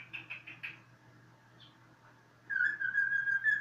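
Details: A few quick, bright chirps from a cockatiel, a pause, then a loud, clear, sustained whistle that holds a steady pitch with a slight waver for over a second.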